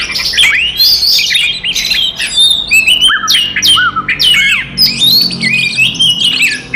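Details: Aggressive fighting song of an Oriental magpie-robin, used to goad other magpie-robins: loud, fast-changing whistles with steep up-and-down slurs, scratchy squawks and chattering notes delivered almost without pause, with a faint low hum beneath.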